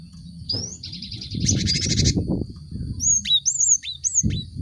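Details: Cinereous tit song, a lure for group-caged birds: a rising whistle, a buzzy rattling phrase, then several bright upslurred and downslurred whistled notes. A constant high tone and loud low rumbling noise sit underneath.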